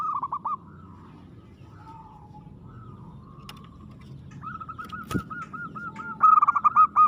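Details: Local zebra dove kept as a lively, aggressive singer: faint soft coos, a sharp click midway, then a drawn-out series of rhythmic arched notes rising into a loud, fast stuttering phrase at the end.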